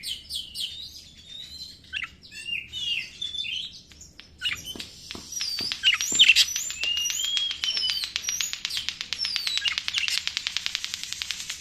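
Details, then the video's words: White-rumped shama lure song: varied whistled phrases and high chirps, turning into a long, rapid, dry rattling trill with shrill notes over it. "PANCINGAN SUARA BURUNG KACER"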